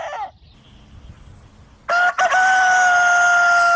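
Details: Farm rooster of free-range stock: a clipped crow, a quiet murmur, then a loud crow opening with a brief break and held steady and level to the end.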